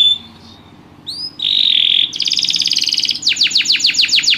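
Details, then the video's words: Canary singing in a spectacular rhythm: a short rising note, then a sustained high trill, a buzzy rolling phrase and fast descending sweeps repeated several times a second, with a faint low hum beneath. "o canário canta num ritmo espetacular!!"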